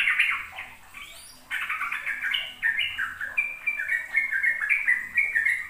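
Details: Sooty-headed bulbul ropel song, a lure for young untrained birds: opening notes, a short quiet gap, then a lively fast stream of downslurred whistles, a faint higher chirp near one second.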